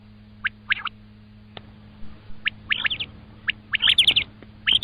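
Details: Common quail giving clipped, high whistled notes in small bursts, including a rapid three-note group, separated by brief pauses over a faint constant hum.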